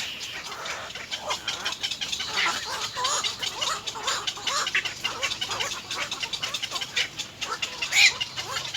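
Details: Little egret nestlings, three of them, begging from their mother at nest 3 by biting her; continuous scratchy chattering with quick wavering clucking notes, a sharp squeak near the end.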